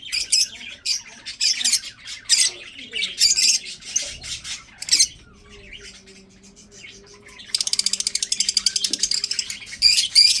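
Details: Budgerigars kept for breeding chirp and squawk in short scratchy bursts, then a pause with only a low hum, followed by a fast, even rattling trill of clicks and a final squawk.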